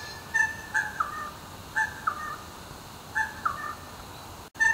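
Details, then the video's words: Little wattlebird in Melbourne calling around 5 am, a daily dawn wake-up call, gives harsh, throaty two-part notes, some dropping in pitch, in bursts every one to one and a half seconds over a quiet background. "The Little WattleBird - aka Natures Alarm Clock"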